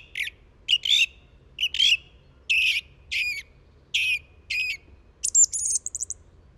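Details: Song thrush singing short, clear phrases, each repeated: rich whistled and slightly harsh notes about every half second, ending with a high, quick trill of repeated notes, faint low hum behind.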